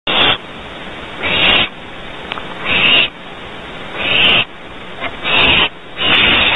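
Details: Barn owls at a nest cavity at Audubon Starr Ranch, California, during a second, smaller prey delivery around 3:34 at night: loud, harsh, breathy hissing screeches about a second long, repeated every one to two seconds.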